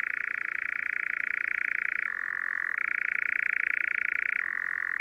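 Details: A Eurasian nightjar in spring in southern Sweden, at dusk or night, gives its churring song: a long, unbroken mechanical trill that drops slightly in pitch twice before rising again. No other sounds.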